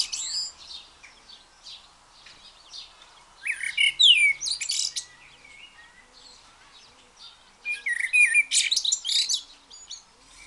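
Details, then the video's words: Blackbird singing freely: two separate bursts of high, scratchy twittering with brief sliding whistles, about four seconds apart, and faint quieter notes in between. "blackbird sings freely"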